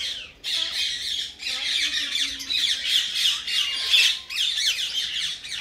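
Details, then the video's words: Pet common myna, tame and described as talking, delivers repeated bursts of grating, noisy squawks separated by short pauses, with faint low tonal murmurs underneath. "Common Myna Talking"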